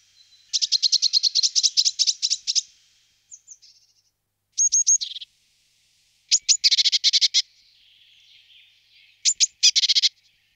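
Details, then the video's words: Eurasian blue tit uttering long scolding chatters of rapid buzzy high notes, interspersed with short thin whistles and brief pauses. "Parus caeruleus"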